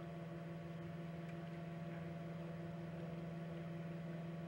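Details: A steady, low mechanical hum with faint tonal overtones and a soft pulsing texture; no animal calls can be heard.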